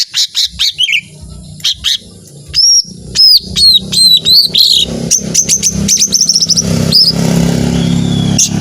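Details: Lesser green leafbird singing in a long 'tembakan panjang' style: sharp high chirps and bright upslurred whistled notes in quick bursts, over a low background rumble like a passing vehicle.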